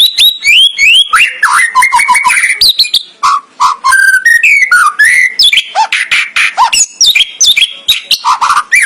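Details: Murai batu, the white-rumped shama, in a rich 'full isian' song: loud varied whistles, swooping slurs and dense rapid chatters that follow one another with almost no pause.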